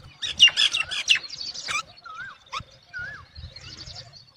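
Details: Mother myna calling her chicks to come and feed, the young not answering; a burst of harsh, rasping chatter followed by short, looping whistles and scattered sharp notes.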